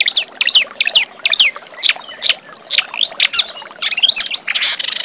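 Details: Reed warbler singing, recorded as a master song for tutoring young magpie-robins; varied high chirps and slurred notes in uneven bursts, with short gaps and a quicker chattering run near the end.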